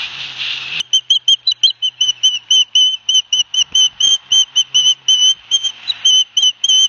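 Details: Two young ospreys on a live-cam nest at Barnegat Light, New Jersey, on 9 September 2021, each getting a fish from their father, give a long run of high whistled piping notes, several per second, steady and insistent.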